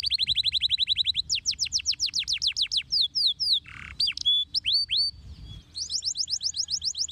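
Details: Canary singing, used to prompt other canaries to answer: a rapid trill of high notes, then slower downslurred whistles, a brief harsh buzz, sharp upswept chips, and a closing fast rolling tour; low hum beneath.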